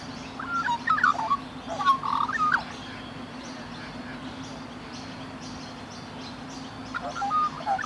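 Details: Rainbow lorikeets in Australia, cuddling and gently grooming each other, give short, soft whistled and chattering notes in two bursts, early and again near the end, over a steady low hum.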